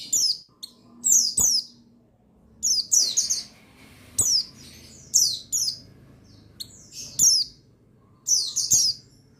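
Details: Male buxtoni white-eye (pleci), a sound meant to rouse other birds into song. Paired and tripled high chirps slide downward, in short bursts spaced about one to two seconds apart, over a faint low hum.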